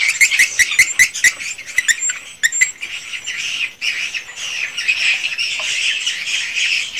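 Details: Swiftlet calling and roosting sounds from a swiftlet house: a run of sharp clicking ticks and short twitters, then a steady wash of high, squeaky chatter from many birds.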